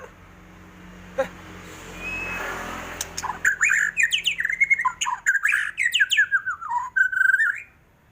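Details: White-rumped shama, kept songbird said to be ready to fight at any time: after a soft rising note, a burst of rich, fast whistled phrases with sharp clicks, downslurs and rising slurs, ending in a climbing whistle.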